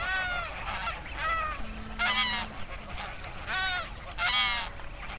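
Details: Geese calling at Oby in Norfolk, UK: separate loud nasal honks, some doubled, come in bursts about every second, with a faint steady low hum and quieter geese behind them.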